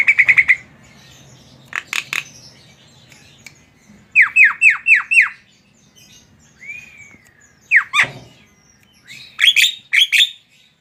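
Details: Captive Javan myna in full song, mixing sharp clicks, a burst of five descending whistled slurs, a smooth upward whistle, and harsh noisy chatter near the end.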